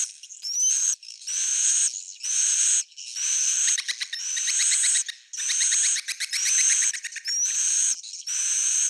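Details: Swiftlets heard as bursts of rapid ticking chirps mixed with rising, sweeping whistles, in blocks about a second long separated by short gaps.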